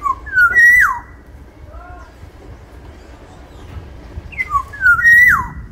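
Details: Two clear fluty phrases from a large Sumbawa Black-naped oriole, each made of falling slurred notes and a drawn-out whistle that swoops down sharply; soft lower whistles sound between them.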